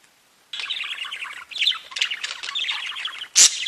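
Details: After a brief silence, budgerigars break into a steady, high chattering warble of fast twittering notes, ending with one loud sharp squawk.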